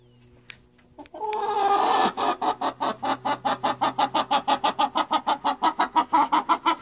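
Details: Chickens: a short tonal note, then a loud, steady run of rapid, harsh clucks repeated about three times per second, with no other clear sounds.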